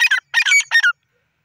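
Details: Grey francolin calling: loud, harsh, rasping phrases in three quick bursts within a second, each strained and buzzy with a falling end, then silence.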